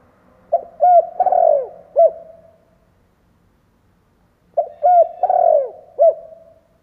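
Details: Decoy spotted dove cooing to lure wild doves: two low, mellow phrases about four seconds apart, each a few short rounded coos followed by a longer drawn-out falling coo and a final note.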